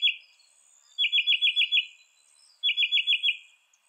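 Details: Northern mockingbird repeating a rapid stuttered trill of six or seven quick notes, the phrase given twice with a pause between, over a faint steady high insect hum.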